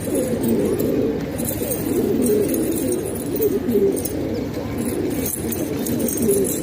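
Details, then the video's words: A room full of kept pigeons in Pakistan produces a rich, deep cooing murmur, with individual rolling coos swelling and fading without a break. "Pigeon Sound"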